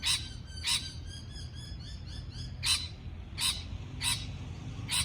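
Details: Parrot calling with sharp, high, spaced chirps, softer thin whistled notes running in between, above a low background hum.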